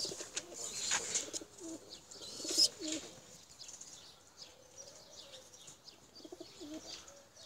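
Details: Tumbler pigeons, including blue çakmaklı birds, being flown to climb high: low, wavering coo-like notes near the start and again late on, with bursts of wing flapping, over steady high chirping from other small birds.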